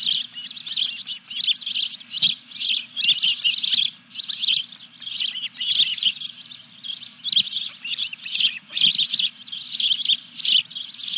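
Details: Osprey calling at a nest at Dunrovin Ranch on 14 July 2021 during the third fish delivery: eleven seconds of loud, rapid high chirps in dense repeated bursts, faint low hum behind.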